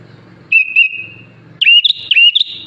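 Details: Sooty-headed bulbul that mimics Sunda pied chat, green leafbird and Asian pied starling gives one long level whistle, then a quick cluster of looping, warbled whistled notes, with a soft low murmur underneath.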